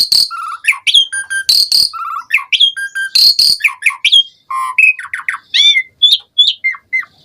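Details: Varied, full song of an Asian pied starling played as a lure to set other starlings singing: loud squeaky whistles, short repeated phrases, harsh buzzes and chattering notes in a dense, continuous stream.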